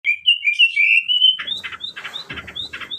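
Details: Oriental magpie-robin singing: clear, sweet whistled phrases that slide up and down for over a second, followed by rapid alternating rasping notes and short rising whistles.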